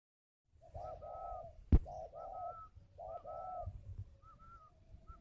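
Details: Caged spotted dove at a bird farm in Ba Vì, Hanoi, Vietnam, with a large bead-patterned neck: low, rolling coo phrases repeat in bursts. A higher, thin whistled note follows each burst, and one sharp click sounds midway.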